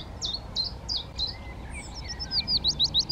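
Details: A male Yellowhammer in breeding plumage sings a run of short, high, chipping notes, slower at first, then quickening into a rapid repeated series; a fainter bird calls briefly, with Willow Warbler and Chiffchaff song in the background.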